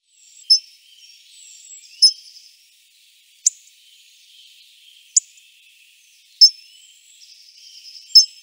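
Hawfinch giving sharp, clicking 'tzik' calls, high and explosive, spaced about every one to two seconds, with faint thin high notes between.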